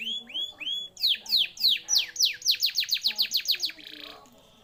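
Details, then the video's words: Canary song used as a lure to prompt a silent canary to sing again: three clear rising whistled notes, then a quickening run of loud downward-sweeping notes, roughly three a second, ending in a brief buzzy fade. "Pancingan burung kenari macet"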